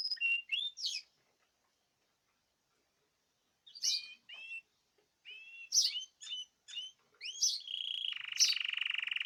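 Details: Song from a group of caged birds, 2026/03/14. Sparse clear whistled and slurred notes come between silent gaps, ending in a sustained buzzy tone.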